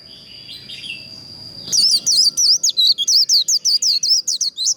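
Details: Rapid líu contest song of a white-eye, intended to provoke birds to sing in contests: soft chatter gives way to a quick, even string of loud, high, curling whistles, about three per second.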